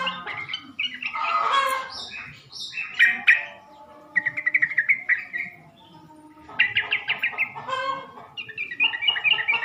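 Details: Sooty-headed bulbul lure calls meant to make males respond: a run of bright, liquid whistled phrases and rapid chirpy trills in separate bursts with short pauses between, some lower warbling underneath.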